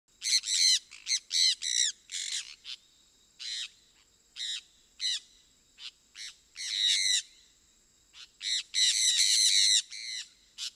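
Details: Sun parakeet, also called sun conure, a small brightly colored South American parrot: loud harsh screeches in short bursts, some stacked and repeated rapidly, with a steady high whine running underneath.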